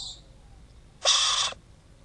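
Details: Captive yellow-backed chattering lory, Lorius garrulus flavopalliatus, inside a nest box at Paignton Zoo: a single harsh, hoarse screech lasting about half a second, loud against quiet room hum.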